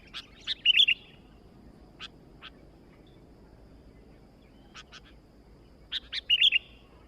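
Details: Lively sooty-headed bulbul song: clusters of sharp chirps ending in rich bubbly warbles near the start and again near the end, with isolated single chirps spaced between, over faint steady background noise.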